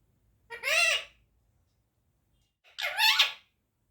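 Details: Pet Indian ringneck parakeet indoors calling its owner "mommy": two separate squeaky, nasal, voice-like utterances, each about half a second long with a rising then falling pitch, separated by two seconds of quiet.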